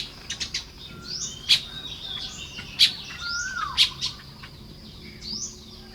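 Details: Morning nest building by Baya weavers in Lopburi province, Thailand, 1 May 2026: scattered high chatter with three strong, sharp chips about a second apart and occasional sliding whistles from another bird.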